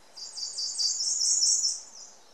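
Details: Ijima's leaf warbler near the Akakokko nature centre giving a very high, buzzy, fast-trilled phrase lasting about two seconds, steady in pitch and gradually fading.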